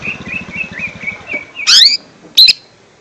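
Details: Lesser green leafbird used as a lure for young birds: a run of soft warbled whistles with a low rumble beneath, then two loud, harsh, buzzy high chirps about a second apart.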